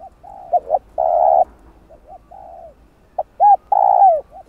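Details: Spotted dove coos for luring wild birds: soft low coos, paired quick notes and long sustained coos, ending with an arched note, a falling coo and a final soft note.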